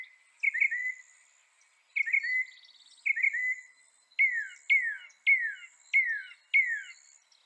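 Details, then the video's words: Northern mockingbird singing repeated downslurred notes: three bubbly falling phrases, then four or five clear, sharply descending whistles spaced about half a second apart. "Veja o canto do pássaro, ave zombeteira"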